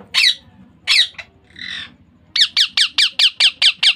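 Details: Young Indian ringneck parakeet squawking harshly a few times, then breaking into a rapid, even series of about eight short grating calls.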